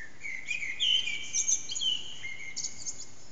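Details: Common blackbird (Turdus merula) early morning song around 4:40am, unseen bird(s) in an echoing backyard, loud: thin, high twittering phrases following a short lower whistled note, over a soft steady rumble.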